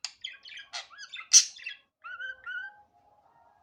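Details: Budgerigar in natural, unedited sound: busy chirps and a loud sharp squeak, then soft drawn-out whistled notes that fade lower.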